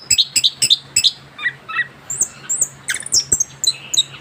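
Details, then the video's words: Orange-headed thrush, a young bird fresh from moulting, opening with sharp repeated chips about four per second, then drawn-out high whistles and mixed chatter, with a low mains hum behind. "kicauan anis kembang muda ngerol pasca ganti bulu"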